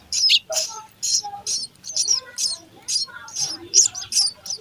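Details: Sparrow nestlings being fed give bright, high, scratchy chirps in uneven clusters, with soft lower twitters between the bursts.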